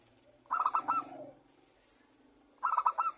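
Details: Local zebra dove singing actively as a lure for other doves: two bursts of rapid, bubbling coo notes about two seconds apart, over a steady low background hum.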